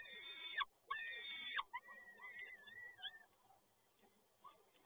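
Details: Peregrine falcon during a male's prey delivery at PGE Toruń, 7 May 2022: two loud rasping harmonic calls, then thinner wavering whistled notes trailing off into quiet hum.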